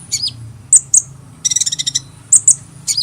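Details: Brief hummingbird calling: a few piercing high chips, a rapid stuttering run of tiny ticks in the middle, then more sharp chirps, over faint low background hum.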